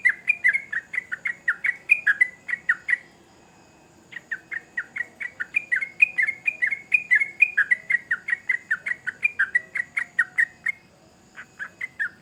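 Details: A sooty-headed bulbul delivers lively song in two long bursts of fast, bright, downward-slurred chirps, separated by a pause of about a second, with a few final notes at the end.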